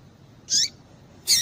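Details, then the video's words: Female double-collared seedeater calling to stimulate males into song: two brief, sharp, high chirps, each sweeping steeply downward, about three-quarters of a second apart, over quiet low background hiss. "Piado de Fêmea de Papa capim Para Esquentar Papa capim"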